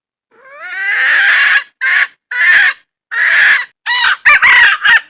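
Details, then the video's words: A wild junglefowl hen gives a loud, rising drawn-out note, then a run of short raspy squawks that grow choppier and more broken toward the end. No background sounds. "Suab poj qaib qus seev tsauj dib tuaj zoo"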